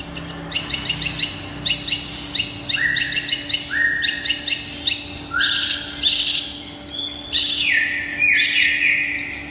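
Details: Long-tailed shrike, Indonesian songbird-hobby bird, delivering a varied song: rapid clicking chatter, then repeated sharp downward-sweeping whistles and buzzy slurred notes building toward the end, a low constant hum underneath.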